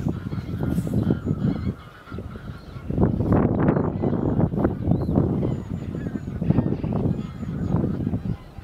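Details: A flock of common cranes in winter, 1 February 2014, gives overlapping, rough, honking trumpet calls several times a second over a steady low rumble, probably wind.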